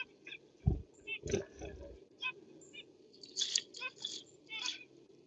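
Zebra finches give short, nasal, toy-trumpet calls, several in quick succession, over low thumps and a faint background murmur.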